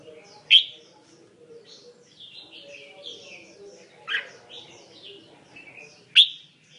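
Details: Red-whiskered bulbul with a mixed-repertoire song, three sharp loud whistled notes with softer warbled, chattering phrases between them, against a faint low hum.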